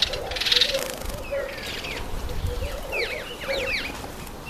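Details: Red-faced mousebird (Urocolius indicus) at a birdbath: clear, falling whistles, several in quick succession in the second half, with rustling and a low background hum.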